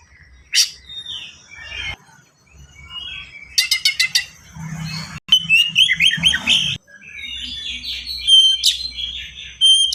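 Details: Captive white-rumped shama (kacer) in dense, speedy song meant to prompt other birds to sing: sharp whistles, rattling bursts and harsh scratchy notes, with brief gaps and a soft low hum underneath.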